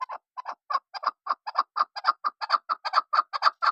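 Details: Chukar partridge giving a steady run of hoarse, clucking chuk notes, often in pairs. They repeat about five times a second and grow a little louder throughout.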